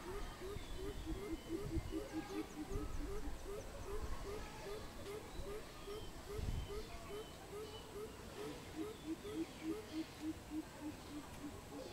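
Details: Greater coucal recorded on 16 April 2020: a long, rapid run of deep, hollow hooting notes, evenly spaced at several per second, running steadily throughout, with fainter higher bird calls and low rumbling noise behind.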